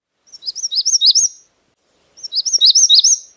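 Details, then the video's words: Magnolia warbler calling: two short, high, sweet phrases of quick slurred notes that grow louder toward the end, about a second apart; magnolia warbler. "Magnolia warbler Calling"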